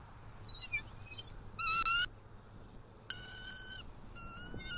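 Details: At a Southwest Florida bald eagle nest, October 28, 2023, with the male bringing the female fish gifts: several high, piping whistled notes in short clusters, one louder burst near the middle, over faint hiss.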